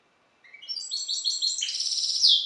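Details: A cage-bred hybrid from a C. c. balcanica goldfinch starts with a few rising notes, then pours out layered high twitters and a loud, buzzy, liquid trill.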